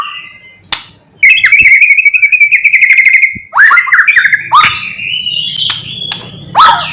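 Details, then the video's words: A white-rumped shama gives its mimicry-filled morning lure song, meant to provoke other shamas. A long, even, rattling trill lasts about two seconds, followed by loud falling whistles, twisting whistled phrases and a final sharp note. "Pancingan MURAI BATU GACOR PAGI HARI supaya murai jadi EMOSI BUNYI Full isian"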